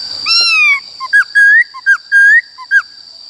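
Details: White-cheeked laughingthrush singing in forest style to teach wild-caught and young birds. A long falling whistle opens, followed by alternating short low notes and longer rising whistles, over a steady high electronic tone.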